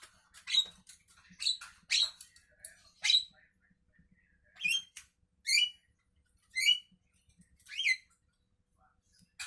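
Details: Javan myna in the morning: loud, buzzy squawks with strong overtones, several rising steeply, repeated roughly once a second in a clear, uncluttered series.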